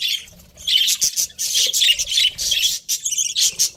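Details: Pet budgies, a breeding pair, chattering continuously in fast, raspy, high-pitched chirps and warbles with short breaks between phrases.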